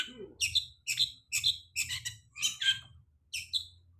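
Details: Long-tailed shrike used as a lure song for birds after moulting: harsh, buzzy chattering notes in short bursts, about one per second, with a few sharper squeaks over a faint low hum.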